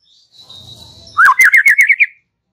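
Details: White-rumped shama in relaxed song, used to prompt young and forest-caught birds: faint steady high tone and low murmur, then a rising-falling note and a quick rolling series of about seven bright chirps.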